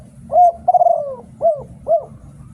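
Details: Cooing spotted dove in Thailand, a decoy bird: a loud steady coo, a long trembling coo gliding downward, then two clear arched coos about half a second apart over a soft low drone.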